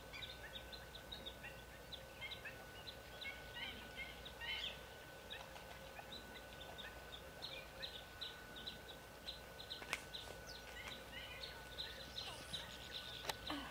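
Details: Black-winged Stilts (Himantopus himantopus) at the Soča river mouth on 19 April 2022 yelp in a busy chorus of sharp, high kek notes, several birds overlapping, over a faint steady hum and low rumble.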